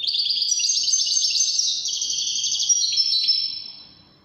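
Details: European goldfinch of the Wedani type singing: a dense, continuous run of high twittering and buzzy trills held for about three and a half seconds, then fading out.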